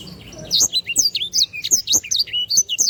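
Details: Short burst of canary song used for bird training: quick, high, slurred chirps and whistles in a rapid, jumpy sequence, with faint low clicks beneath.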